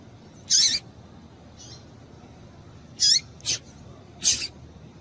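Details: Female double-collared seedeater calling to excite males: short, sharp high chirps with a quick downward hook, one near the start and a cluster of three later, over a quiet background.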